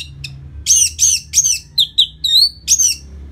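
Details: Orange-headed thrush song for stimulating the bird after moulting: a fast string of loud, harsh, down-slurred whistled notes, about two per second, mixed with a few clearer rising whistles, over faint low hum.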